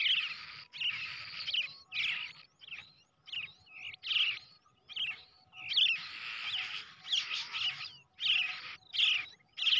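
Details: Hand-raised brown shrike chick, reared from the egg, repeating loud raspy, scratchy calls in bursts of about a second, some running together into longer noisy stretches.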